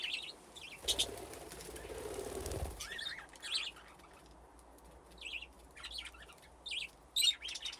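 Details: Several budgerigars playing around nesting boxes in an aviary, a burst of wingbeats followed by repeated bright chirruping notes and short warbles.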